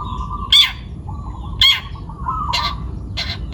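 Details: Young wild-caught long-tailed shrike from Pati, Central Java, in full voice: four loud, harsh, buzzy bursts about a second apart, each a brief broadband rasp, over a steady low hum and background noise.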